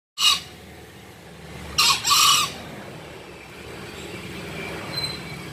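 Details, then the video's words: Green junglefowl crowing: a brief sharp note opens, then after a pause comes a hoarse, harsh two-part crow lasting under a second, over a low background hum. "Kokok ayam hutan hijau"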